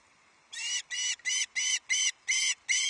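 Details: Ravenous juvenile osprey at Loch Arkaig on 31 July 2023, shrieking as an adult brings the first fish of the day, a huge headless trout; seven loud, harsh, harmonic squeals, each about a third of a second, repeated steadily.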